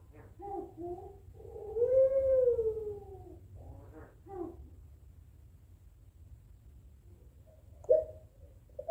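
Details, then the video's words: Barbary dove (puter pelung) trading calls with a rival: a single rising-then-falling drawn-out coo between softer, broken, rolling notes, with a quieter stretch and a brief sharp note near the end. "Suara Puter Pelung Saling Sahut Memanggil Lawan"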